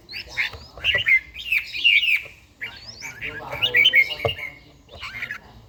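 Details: Red-whiskered bulbul, an older bird with a wild-type voice, in morning song practice; dense chattering warble of overlapping slurred notes in two long bursts, then a short final phrase.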